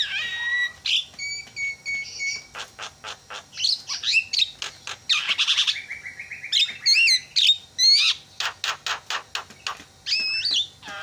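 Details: Javan myna sounds used as a lure so other mynas start calling: a long medley of clicks, flat held whistles, harsh chatter and looping whistled phrases, delivered loud and nearly nonstop.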